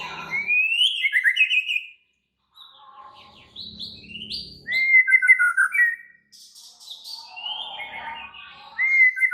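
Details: Raging white-rumped shama singing actively: bursts of varied whistled and chattering phrases separated by short pauses, including a bright clear whistle mid-way and faint low rumbling between phrases.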